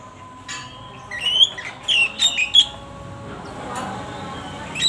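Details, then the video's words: Caged pet lovebird singing an imitation of the oriental magpie-robin's song: a cluster of short, high whistled and chirpy notes with sharp squawky bursts in the middle, then quieter, over a low steady background hum. "Lovebird isian burung kacer"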